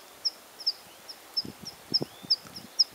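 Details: Water pipit in spring plumage singing: thin, high chipping notes repeated about every half second, with soft low rustling and knocking sounds underneath.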